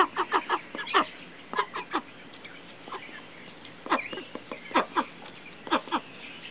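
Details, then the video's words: Pet ducks kept near neighbours quacking loudly, likely in the morning as described: rapid runs of short nasal quacks in bursts, several birds overlapping. "Ducks Quacking Loudly"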